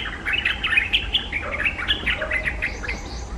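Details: A white-browed bulbul in South Goa, India, gives a rapid, jumbled burst of bright chattering notes that bubble up and down in quick succession, over a low background rumble.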